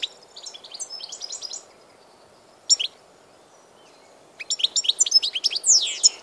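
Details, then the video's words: Goldfinch singing on 16 March 2014, heard in short bursts: a fast tinkling twitter, a long quiet gap broken by one sharp chirp pair, then a lively run of liquid, rising and falling notes. "grdelin, chardonneret,goldfinches,el jilguero"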